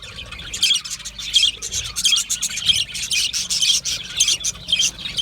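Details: Australian budgerigar chatter: quick runs of high, buzzy chirps and warbling notes in rhythmic bursts, several birds calling at once.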